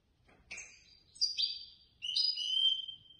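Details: Competition goldfinch placed third in a Casablanca bird-lovers' association contest, delivering loud, high, ringing twittered notes, including slurred and sustained tones, in two close phrases.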